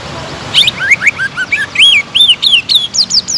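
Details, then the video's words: Greater green leafbird song to rouse another bird: after a quiet start, a steady string of arching slurred whistles, each rising then falling, around three or four per second. "PANCINGAN CUCAK IJO GACOR AGAR MAU EMOSI DAN NAIK MENTAL,LANGSUNG JAMTROK"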